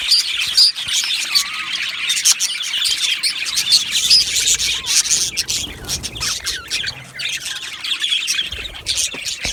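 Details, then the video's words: Budgerigars in an aviary colony keep up a bright chirping chorus; quick squawks and small rising and falling warbles pile on top of each other. "Beautiful Budgies Birds Singing and Chirping Sounds"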